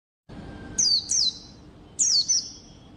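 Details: White-eye song used as a lure to make other white-eyes sing: three high, thin, sliding notes, each quickly falling then levelling, a pair followed by a single after a short pause, over a faint background hiss.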